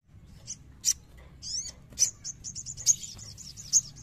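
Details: Scattered high chirps and short upward and downward sweeps from a young sogon being provoked to sing. Next comes a quick series of clear, bright whistled notes, repeated about three times a second.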